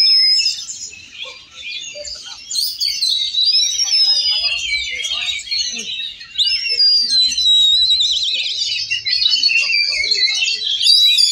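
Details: Several Oriental magpie-robins singing at once at a songbird contest, session 1, in Cilegon on 5 December 2023: a dense, unbroken tangle of bright whistles, trills and scratchy chatter, faint human voices murmuring underneath.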